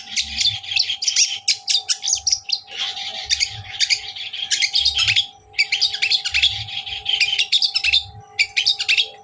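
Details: Long-tailed shrike song used to provoke a rival bird: dense bursts of harsh chattering and rapid scratchy notes in quick runs, with a steady low hum and soft thumping underneath.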